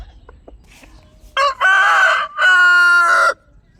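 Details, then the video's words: Domestic chicken giving a loud crow in two long, steady, harmonic-rich segments, the second held longer, after a few faint clucks. "My chickens and original sound"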